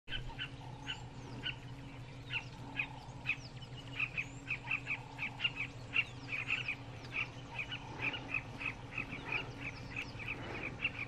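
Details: Southern carmine bee-eaters in Kruger National Park give a dense chorus of short, clipped chirps, many birds calling at once in quick overlapping bursts, over a low steady hum.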